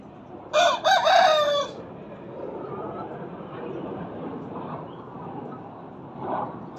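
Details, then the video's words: Aseel hen crowing as if she were a rooster: one hoarse crow just over a second long, broken into two rough parts, followed by a low background murmur and a faint later cluck. "KENDİNİ HOROZ ZANNEDEN HİNT TAVUĞU //TAVUK NEDEN ÖTER?WHY DOES THE CHICKEN CROW?"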